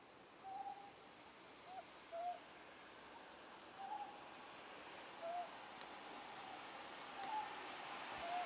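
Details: Night recording of a Ryukyu scops owl on Ishigaki Island, taken close with a Nikon Z50 and ME-1 microphone; brief husky hoots repeated roughly every one to two seconds over steady insect buzz, a faint rustle at the end.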